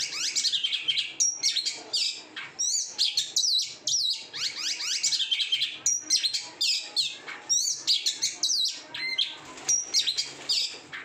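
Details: Oriental magpie-robin, a caged bird kept on a no-bathing, sunning routine, pouring out a continuous, loud song of varied whistles, sharp zigzag notes and rapid chattering runs over about eleven seconds.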